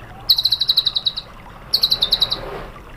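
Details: White-rumped shama training song: two very high, rapid trills of about ten evenly spaced sharp notes each, separated by a short pause, against faint background hiss.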